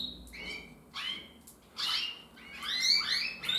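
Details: Older male canary practising song after the moult: separate short chirps and rising whistled notes with gaps, ending in a louder burst of fast twittering phrases.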